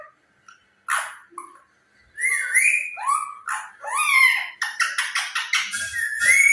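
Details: Talking parrot giving a run of short harmonic calls and rising whistles, with quiet pauses between, then a rapid burst of sharp, chattering notes ending on a clear upslurred whistle.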